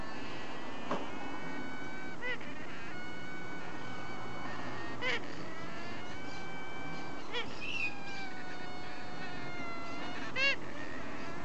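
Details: A hybrid Solomons cockatoo × Little corella (Cacatua ducorpsii × Cacatua sanguinea), recorded 1 August 2015, gives long, drawn-out nasal calls that waver slightly in pitch, broken by soft clicks every few seconds over a low room rumble.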